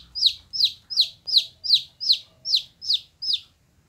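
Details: Cute gold-coloured chicks cheeping: nine clear, high descending peeps at an even pace, nearly three per second, with a soft low rumble beneath.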